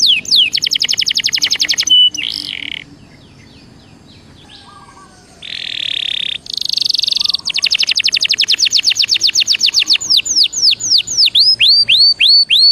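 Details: Belgian canary warm-up song: falling whistles and a steady pure tone, a quiet stretch, buzzy rolls, then a long fast run of falling notes slowing into swooping slurs.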